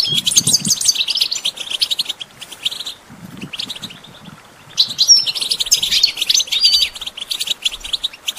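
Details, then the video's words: European goldfinch song, used to train songbirds: bursts of dense, high chattering twitter broken by brief pauses, with faint low rustles between phrases. "Goldfinch Training With Stimulating Support for Songbirds"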